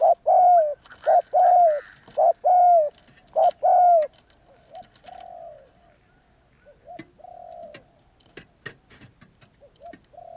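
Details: Spotted dove giving a fast run of loud, rounded hooting coos, each with a brief wavering lead-in. The coos then fade into softer, distant replies under a constant thin background hiss.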